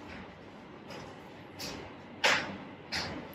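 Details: Only steady room hiss with a few brief scraping or rustling bursts is heard, with no clear animal voice.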